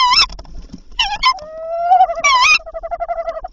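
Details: Tawny owl at night, 7–8 April, during prey handovers; the male brought three prey items before 01:00. Loud, quavering, harmonic-rich calls come as short wavering bursts, then a long slowly rising trembling note, then more rapid quivering notes.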